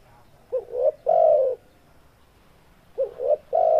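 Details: Breeding-condition male spotted dove repeating its call twice: a brief rising two-note coo leading into a long, smooth, slightly descending coo, low and mellow, with a sharp click at the very end.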